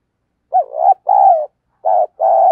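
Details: A spotted dove kept as a decoy coos to attract wild doves. Two short phrases of paired mellow notes, the first slightly wavering, the second steady and drawn out, with nothing else audible.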